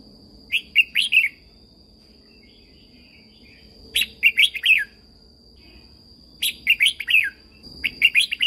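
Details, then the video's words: Red-whiskered bulbul from Thailand, song meant to make caged birds eager and learn: four cheerful phrases of five or so warbled notes, the last two close together, over a steady thin high tone. "เสียงนกกรงหัวจุก สำหรับต่อ หรือ เปิดให้นกคึก"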